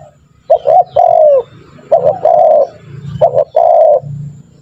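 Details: Spotted dove calls used as a lure to train doves to call quickly: three loud, hoarse coo phrases, each a short note and then a longer, falling coo, spaced about a second and a half apart over a low steady hum.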